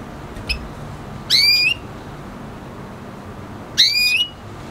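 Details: Red hooded siskin crossed with a canary, a first-generation hybrid, producing two long upslurred whistles about two seconds apart, each ending on a brief level note, with a faint chirp before.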